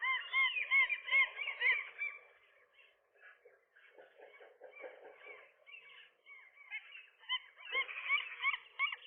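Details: Morning fight between a nesting gull couple and a lone intruder on a roof; loud squealing calls at the start, quieter scuffling and low mutters mid-clip, then sharp yelps return near the end.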